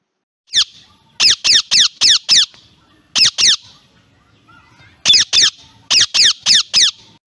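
A parrot gives harsh, grating squawks in quick bursts of two to five, about four a second, with short pauses between runs. No other sounds stand out.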